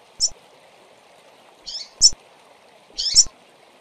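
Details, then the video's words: Several female double-collared seedeaters calling with sparse, sharp high chirps and a few rougher buzzy notes spaced over a few seconds, over a constant low background hum and occasional clicks. "Femeas de Coleiro Piando e Chamando Demais"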